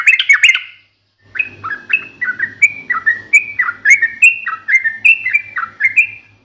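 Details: Energetic 'ngalas tajam tarung' song of a yellow-vented bulbul, sung to provoke rivals into replying: a short warble, a brief break, then a steady chain of rich, rolling up-and-down whistled notes with a faint low hum beneath.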